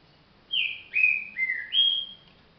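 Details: Green-winged saltator, described as still singing slowly, delivers a short phrase of four loud whistled notes, the first sliding down, the next two held lower and stepping down, the last rising high and level.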